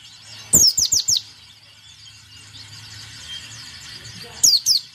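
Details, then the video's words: White-eye song of short, high, downward-sweeping whistled notes, four in a quick burst near the start and two more near the end, over a quiet pause with faint background hum. "Suara Pleci Gacor"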